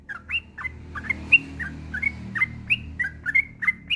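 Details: Yellow-vented bulbul, a male, singing its long nonstop song, meant as a master recording to prompt other bulbuls to sing: quick slurred chirps, some rising and some falling, in loose uneven bursts over a quiet background.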